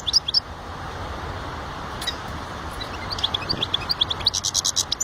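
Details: European goldfinch song: a few high twittering notes at the start, then a growing series of quick, bright chirps and trills in the final two seconds, over steady low background noise.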